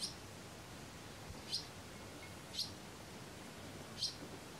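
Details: Barn swallow nestlings in the nest, Kırcaali, Bulgaria: four clean, clipped high chirps spaced roughly a second and a quarter apart against a quiet, even background hiss.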